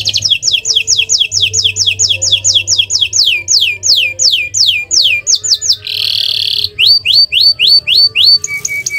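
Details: Canary (Serinus canaria) song used as a lure: rapid trills of descending whistled notes, about six per second, broken by a buzzy rattle and slower sweeping whistles, faint low hum underneath.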